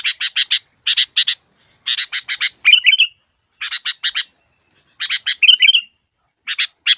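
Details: Sooty-headed bulbul recorded as trapping lure: runs of four or five dry, evenly spaced chirps, occasionally ending in a rich descending warbled whistle, with quiet gaps between groups.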